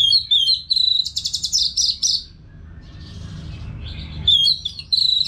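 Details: Orange-headed thrush kept caged in Bali, singing nonstop as a training sound: rapid high trilled phrases and buzzy chirps for two seconds, a quiet gap, then bright repeated whistles resume.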